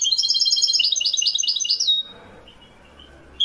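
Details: Wiidani-type European goldfinch in Morocco, recorded in 2021. A rapid, high, jingling warble runs for two seconds and ends in a drawn-out thin note. Quiet background follows, then a final short chirp.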